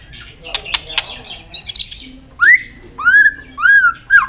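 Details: White-rumped shama in a tail-flicking fighting song used on young birds: sharp clicks and a high warble, then loud rising whistled slurs repeated roughly every half second.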